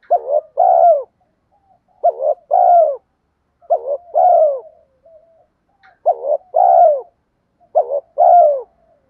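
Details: Spotted dove's 'thúc gù gáy' lure calling: five two-part coo phrases about every two seconds. Each phrase is a brief wobbling note and then a longer, descending mellow coo, with faint soft notes in the gaps.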